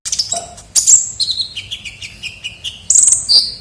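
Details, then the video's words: High chattering from a kolibri ninja sunbird used as a bird lure: sharp thin chirps, then a descending series of short whistled notes, ending in loud shrill bursts. "pikat suara burung kolibri ninja gacor"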